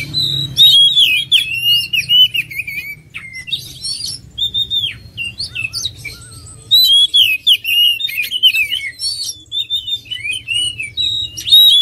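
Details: Continuous oriental magpie-robin song of quick, varied whistles, trills and chattering chips, rising and falling in loudness, with a low hum behind.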